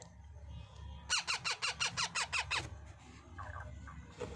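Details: Young parrot during feeding gives a rapid run of nine rasping, harmonic squawks at an even pace of roughly three per second, followed by faint softer sounds and a low room hum.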